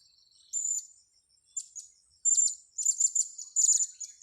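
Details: Blue-crowned hanging parrot during a luring and trapping session: one drawn-out high squeaky note, then increasingly rapid runs of sharp, very high chirps packed closely together toward the end.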